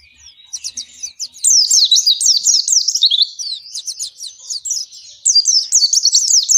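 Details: Oriental white-eye in its long ngalas song, used as a lure for captive white-eyes. A high, tumbling stream of rapid twittered notes builds after a soft start and carries on almost without a break.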